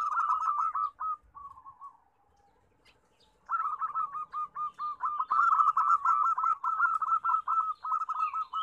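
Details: Local Indonesian zebra doves used as a lure to get reluctant doves singing, loud birds: rapid rolling cooing trills repeated in long bursts, a short pause near the middle, faint higher chirps of other birds behind.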